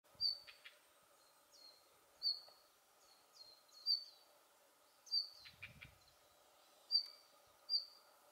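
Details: Male Siberian bluechat giving its winter contact call, recorded 10 December 2019: short, thin, high whistled notes, often slightly falling, repeated singly or in pairs about every second, with faint low clicks between and a quiet background hum.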